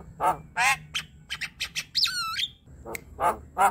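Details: Javan myna (Acridotheres javanicus) chattering in a rapid, uneven run of harsh squawks and clicks, broken by a bright whistle that swoops down and then levels off.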